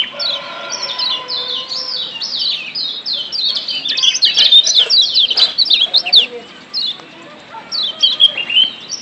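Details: High, fast twittering song of a wild Lombok yellow white-eye, used as a stimulant to get kept birds singing, with quick descending chirps in busy runs and a short lull near the end.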